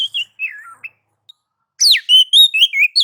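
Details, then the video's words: White-rumped shama song, ngobra and nagan style, to provoke other shamas: soft falling whistled notes, a pause, then loud clear whistles, one steeply falling and the rest rising and level, in even bursts. "kicau kacer mode nagan dan ngobra"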